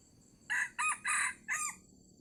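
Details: Wild red junglefowl in Sumatra, lured with a decoy near the end of the fasting month, gives a short crow of four clipped syllables in a little over a second, the third longest, over a faint insect hum.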